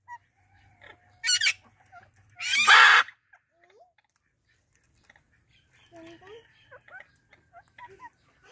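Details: Talking Indian ringneck parrots greeting each other: two loud, harsh squawks, the second longer and raspy, followed by softer chattering and short speech-like notes.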